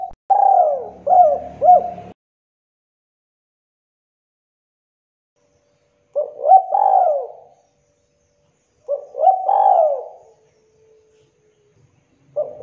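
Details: Spotted dove, a local Indonesian bird in full voice, its call meant to stir young doves into calling. Three separate cooing phrases of soft, hollow notes, each a few seconds apart, with a faint low hum under the first.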